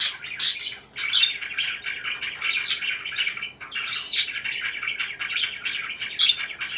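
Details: Parakeet chirping: continuous warbling chatter punctuated by shrill, bright peeps, strongest at the start and around the four-second mark, with brief dips between phrases.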